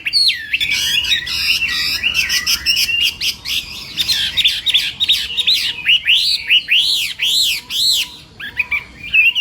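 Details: Chinese hwamei singing in a morning voice-training session: loud, ringing whistles with arched, looping notes, fast trills in the middle, and repeated rising-and-falling phrases.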